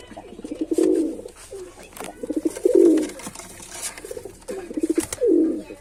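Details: Low, throaty cooing from a male pigeon, three swelling phrases with brief pulsed lead-ins and some faint background noise between them.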